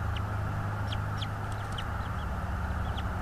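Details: Bald eagle calling at its nest in North East Florida, nest-camera recording from the afternoon of 24 January 2022; scattered sharp, high piping notes, some slightly rising, spaced irregularly above constant low-pitched machine-like hum.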